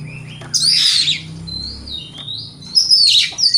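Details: Oriental magpie-robin in strong morning song meant to stir rival birds to answer; a harsh rasping burst, then a long sliding whistle that rises and dips, closing with another loud buzzy phrase.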